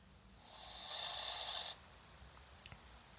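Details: Barn owl at a nest webcam making strange noises: one harsh, breathy hissing rasp of about a second and a half that swells and then cuts off abruptly, followed by quiet with a few faint clicks.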